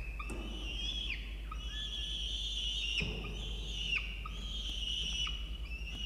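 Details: Peregrine falcon chick in a nest box on a university campus in Orange, New South Wales, Australia, being fed breakfast by the adult male: long, harmonically rich wailing cries held high, with brief breaks and dips, nearly continuous.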